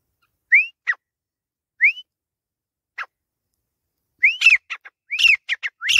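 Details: Grey francolin, Pakistan: two separate rising whistles each with a short clipped note, a lone click-like note, then a quickening burst of whistled and harsh notes.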